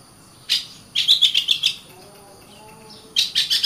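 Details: Oriental magpie-robin singing: a brief sharp note, a run of about six quick whistled notes, a quiet pause, then another rapid burst of clear high notes.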